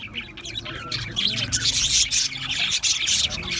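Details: Several budgerigars in an aviary chatter nonstop, a thick, high, buzzy warble that swells louder after the first second and then keeps going.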